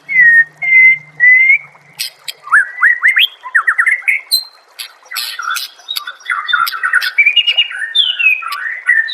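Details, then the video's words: White-rumped shama song used to make other shamas sing: opens with three clear level whistles, then rapid rising slurs and a long, varied warbling stream of whistled and harsh notes. "MASTERAN MURAI BATU PALING DI CARI TAHUN INI || SUARA JERNIH ,BURUNG PASTI NYAUT DAN GACOR SEKETIKA"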